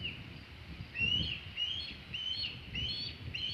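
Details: Osprey calling at the Hog Island nest, 27 August 2019, near 3:50 pm EDT, a large shad at hand: a series of high, upslurred whistled chirps, several per second, over a faint low background hum.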